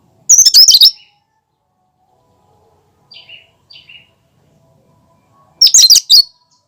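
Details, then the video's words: Cucak kinoi giving its original, unmimicked song for prompting and luring birds: two loud, rasping, rapid-note bursts about five seconds apart, with two quieter short falling notes between them. "Suara asli cucak kinoi"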